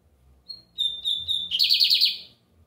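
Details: Lined seedeater, called bigodinho americano, singing a lot on a Sunday: a few clear high whistled notes on one pitch, then a fast buzzy rattling trill of about six pulses, with a quiet low rumble underneath.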